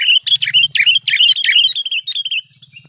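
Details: Wild crested bulbul calling in nature: a quick run of bright, chirpy, warbling notes, about eight sharp bursts in under two seconds, then softer trailing chirps, over a faint low hum.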